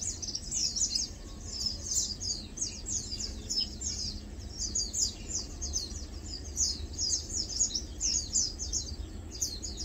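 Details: A group of Lowland White-eyes feeding and preening, giving a steady stream of high, thin chips and tweets that overlap almost continuously, with a faint low background rumble.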